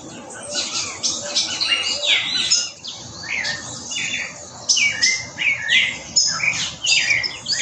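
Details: Spectacled thrush singing rich, caroling phrases at dawn in Trinidad and Tobago, with mild chattering of green-rumped parrotlets, a strong greyish saltator call, and ruddy ground doves and palm tanagers around.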